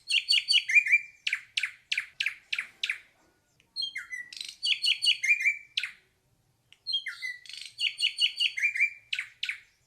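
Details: Ashy drongo in sustained song, repeating phrases of stuttering chattering notes ending in a flat whistle, interspersed with harsh downward rasps, three phrases separated by short gaps.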